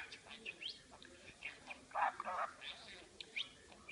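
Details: Indoor pet parakeet talking, mumbled warbling syllables broken by sharp squeaky chirps, with a louder burst of garbled speech-like chatter in the middle.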